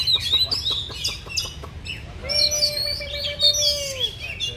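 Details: Oriental magpie-robin displaying with a fan dance during a face-off between birds: a quick series of high chirps and clicks, followed by a long, steady, low whistle that dips at its end, with high twittering above.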